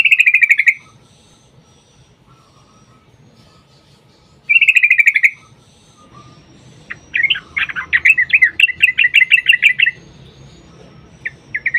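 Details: Sooty-headed bulbul song used as a lure to make other bulbuls sing, in the fighting long rapid-trill style; two rattling buzzy trills about a second long, then a quick bubbling run of chattering notes, with faint background hiss.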